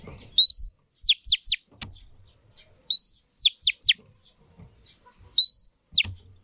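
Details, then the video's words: Female Oriental magpie-robin, used to stimulate males. A rising whistle leads into three rapid, falling sweeps, a phrase repeated about every two and a half seconds with quiet pauses between. "Choè than mái kích trống hay nhất"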